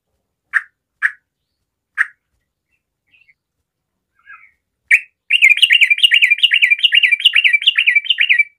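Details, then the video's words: Sooty-headed bulbul, a 'garuda' trucukan singing to draw other bulbuls into song: a few sharp clicks and soft notes, then about three seconds of loud, rapid, looping whistled phrases, rising and falling in a steady bubbly rhythm. "SEMUA TRUCUKAN PASTI IKUT BUNYI DENGAR SUARA TRUCUKAN GARUDA GACOR INI"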